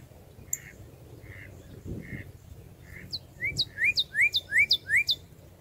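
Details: A red-crested cardinal gives a few soft, spaced chirps, then a quick run of about six bright, sharply rising whistled notes, roughly three per second, over a faint low hum.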